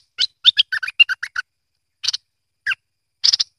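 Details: Bulbul, merbah lekir or kuning, sings a fast string of about eight sharp chirped notes, then spaced single rasping and slurred calls over the next two seconds.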